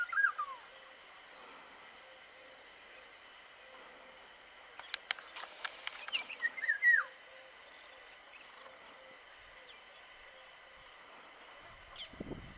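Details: An Indian golden oriole at Sheshma ke Dhani, Hudeel, calls: a brief slurred, falling whistle, then a burst of clicks and short fluty notes over a steady insect drone.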